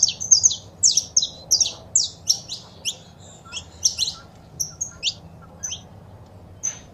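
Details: Saffron finch calls and singing, female and male, used to encourage a caged bird to open its song: dense high chirps at first, thinning into scattered sharp notes, against a low steady hum.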